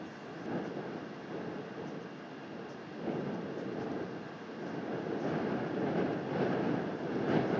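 Continuous broadband rumbling, like wind or an engine, that swells and fades without any animal calls.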